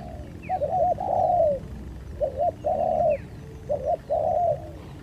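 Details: Spotted dove cooing during a fight, repeating a phrase three times about every one and a half seconds: two short wavering notes, then a long steady coo that falls at the end. Faint background hum.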